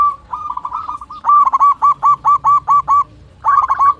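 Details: Local Indonesian zebra dove with a strong, long-breathed voice calling a rival. A rolling run of notes leads into about eight loud, regular coos, then a brief pause and another burst.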